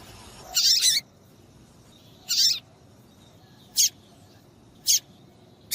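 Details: Female papa-capim seedeater call, played to excite males into singing for song tournaments: bright, high broadband chips, a double burst and a single burst followed by three short sharp notes, over a quiet background.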